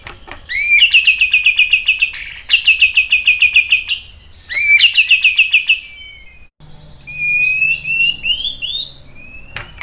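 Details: Lure song of a white-rumped shama, meant to provoke a reply. Fast runs of sharp repeated chips on one pitch in three bursts, then a softer descending sequence of whistled notes, with faint clicks.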